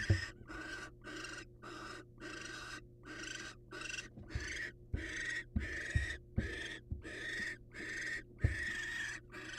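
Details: Wild barn owls, a male presenting his catch to a waiting female: rapid harsh, breathy hissing screeches repeated roughly every half second, about sixteen in a row, with low knocks and thumps underneath.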